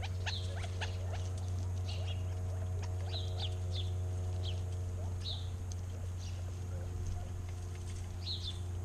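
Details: Arizona backyard birds sing with scattered high chirps and short slurred whistles, repeated irregularly every second or so, over a loud constant low droning hum.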